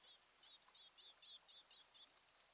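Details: Faint series of high chirped whistles from a mated osprey pair at a nest on Kent Island, Maryland, late June 2018, morning; short notes run in a loose rapid string over quiet rural background hiss.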